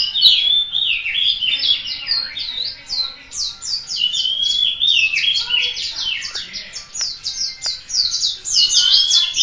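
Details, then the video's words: Local Malang white-eye, a cage bird in full song: a long, fast, unbroken stream of high, sweet twittering notes, quick up-and-down slurred whistles tumbling together with few pauses. "Burung Kacamata Pleci - Mata Puteh Gacor - Lokal Malang"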